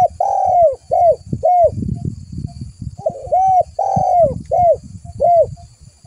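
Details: Spotted dove calling to attract other doves: two repeated phrases, each a long mellow coo followed by two shorter falling coos, with dull knocking sounds between them.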